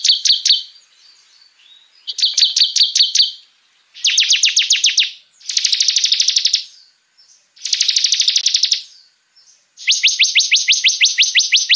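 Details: Bar-winged prinia in vigorous 'tembakan' song, for luring and tutoring other songbirds: six high, bright bursts of fast repeated chips, each about a second long, some buzzy and stuttering, separated by short quiet gaps.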